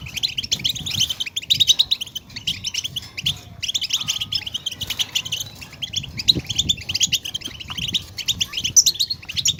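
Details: Continuous European goldfinch twittering used to prompt caged goldfinches to sing: fast, high, jingling chirps in long runs with brief pauses, over a quiet low background.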